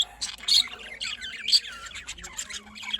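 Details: Morning budgerigars, 5 November 2023, Larkana, Sindh: quick warbled chirps and scratchy squawks in irregular bursts, with sharper notes about once a second.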